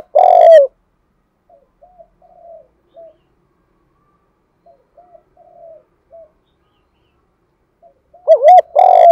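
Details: Spotted dove in the thúc gù style. A loud low coo opens, then come quiet, soft repeated cooing notes, and a loud double-note coo phrase ends the clip.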